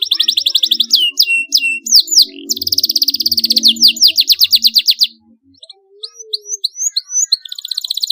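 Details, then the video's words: Canary song, continuous and rolling, used as a lure for young canaries to sing. Rapid buzzy trills and slurred notes run for five seconds, a brief pause follows, then the trills resume, over a faint low background murmur. "Cuitan Kenari UNTUK Perangsang bunyi Kenari paud, Gacor ngeroll tajam untuk pancingan"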